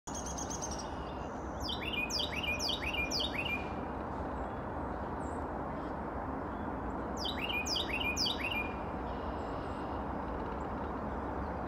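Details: A chickadee gives two quick bursts of sharp, slurred high notes, several in a row, rendered as 'cheeseburger'; the recordist thinks this is the chickadee's other song. A steady low rumble of background noise runs beneath.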